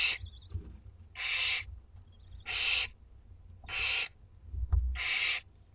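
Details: At a school garden nest, two-week-old Barn Owl chicks beg at dinner time with a steady series of rough, hissing screeches spaced a little over a second apart, plus a faint squeak and a knock.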